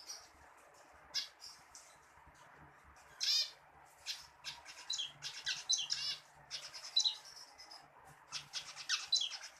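Zebra finch giving bursts of high, buzzy, nasal chatter and short clipped notes, with pauses between phrases; a faint low hum underneath.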